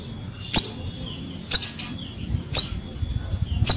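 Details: Lively ashy drongo song meant to coax silent drongos into singing. Sharp high clicks repeat about once a second, each followed by brief chirping trills, with low background rumble.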